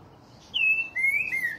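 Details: Green-winged Saltator, one of Brazil's birds, singing a short phrase of clear whistled notes: a long level whistle followed by two slightly lower slurred notes, bright and loud over a quiet background.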